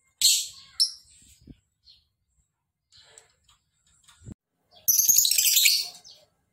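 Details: Lovebird ngekek, a long trill. A short, harsh burst opens the recording, then after a quiet stretch with faint knocks comes a sustained, raspy, fast-pulsed trill of over a second.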